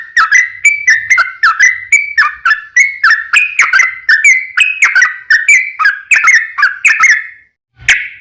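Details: A lively yellow-vented bulbul in long rolling song, played to coax other bulbuls into singing: quick bubbling whistled notes rising and falling in a continuous run, ending in a short pause and one final note.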